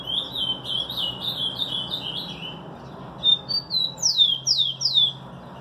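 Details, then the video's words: Rufous-collared sparrow: a run of wavering, high whistled notes drifting gradually lower, a brief pause, then several loud, sharply down-slurred whistles repeated about every half second. "TICO TICO BAD BOY um SHOW de CANTO!"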